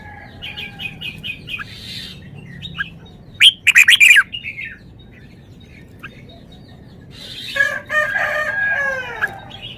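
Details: Song of a red-whiskered bulbul displaying its repertoire: a run of short repeated whistles, a loud rapid burst of sharp notes, quieter scattered calls, then a long rich warbling phrase with descending notes near the end.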